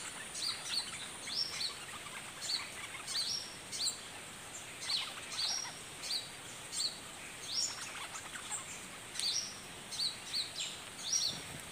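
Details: Red-whiskered bulbul giving its fierce, vigorous doubled song: short, high, upslurred whistled notes repeated roughly every second, thin and somewhat distant, over steady hissing background noise.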